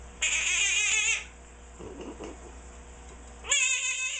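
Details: Pet Quaker parrot, sixteen years old, repeating an annoying call: a loud, grating, wavering squawk lasting about a second, a faint murmur in between, then the same harsh squawk starting again after two seconds.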